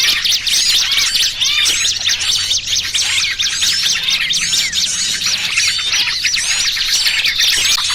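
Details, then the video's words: Lure recording for trapping small birds, a noisy mix of trucukan and pinched small-bird calls: dense, overlapping high chirps and squeaky rising-falling notes from many birds, continuous throughout with no pauses. "Suara Pikat Burung Kecil"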